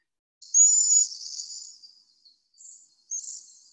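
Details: A Cedar Waxwing in the Chicago area, where flocks gather, gives a thin, extremely high, hissing whistle lasting about a second, followed by two fainter lisping notes; nothing else is heard.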